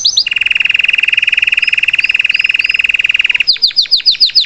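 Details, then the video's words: Live song of a salsa canary teaching a young bird: a steady low rolling trill for about three seconds with faint slurred notes above, then a series of sharp descending chips. "Melhor canário salsa cantando para ensinar seu filhote a cantar/salsa canary singing live"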